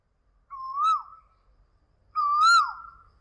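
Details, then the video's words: Asian koel calling: two loud clear whistled notes, each rising then sliding down at the end, about a second and a half apart, with a faint low rumble beneath. "Koel sounds | cuckoo sounds | kuyil sound"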